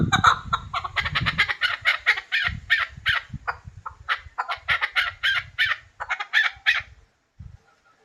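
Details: Hybrid chukar partridge giving rapid series of harsh clucking notes, close-packed and repeated in bursts for about seven seconds, with some low thumping noise at the start.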